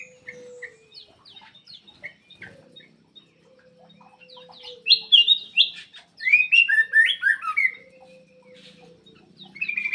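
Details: Black-crested bulbul song used to make quiet birds sing: scattered short chirps at first, then loud clustered warbled bursts in the second half, over a faint low hum.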